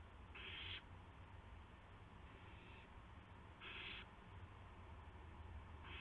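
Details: On March 18, 2016 at 8:00 PM an owl delivers a gopher; three to four noisy, breathy screech bursts roughly half a second each, about every one and a half seconds, over low steady hum.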